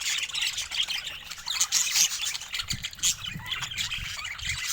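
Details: Pet budgerigars chattering together, a constant high warbling twitter with squeaks and squawks overlapping, and faint low knocks in the background.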